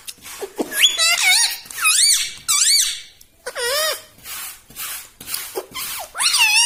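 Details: Pet parrot talking, its words said to be "mitthu mitthu" and "mummy": a steady series of loud, dipping, harmonic squeaky syllables, roughly one every half second.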